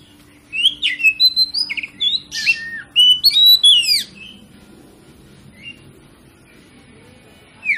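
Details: Kacer (Oriental magpie-robin) song used as a lure to provoke other kacer into singing their full repertoire: a varied burst of whistled and chirped notes, rising and falling sweeps with harsh buzzy elements, about three seconds, then quiet with scattered faint notes.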